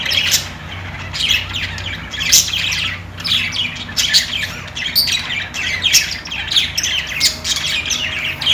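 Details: Budgerigars, Australian parrots, in lively chirping chatter: short sharp tweets and squeaky notes about once a second, mixed with scratchy warbles from more than one bird, over a faint low hum.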